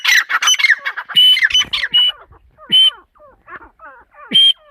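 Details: Female partridge with loud harsh squawks mixed with shrill high-pitched squeals, followed by quieter sliding notes and a final sharp squeal.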